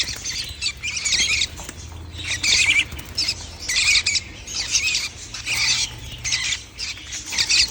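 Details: Calls of baby lovebirds on 11 January 2025: harsh, scratchy high squeaks in bursts of about half a second, repeating almost continuously with brief gaps, over a faint low hum.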